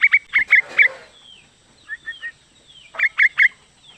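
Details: Female sooty-headed bulbul calling the male: quick bursts of three to four short, sharp chirps open and close the clip, separated by faint slurred whistles and three softer, lower notes, in a quiet setting.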